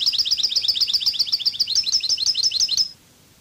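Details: European goldfinch singing in the Cádiz style: a loud, steady string of sharp, high twittered notes repeated about four times a second for nearly three seconds, ending abruptly.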